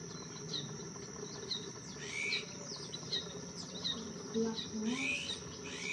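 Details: Black-headed weaver at Quinta do Lago in the Algarve giving short, sharp chirps and brief upward-sliding whistled notes in loose, irregular series, over a steady high-pitched whine and a low background rumble.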